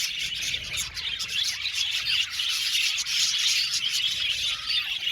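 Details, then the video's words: Many aviary budgies chattering together, a scratchy, rasping mass of high chirps with a few clearer whistled notes and short squeaks standing out. "Beautiful budgies chirping sound"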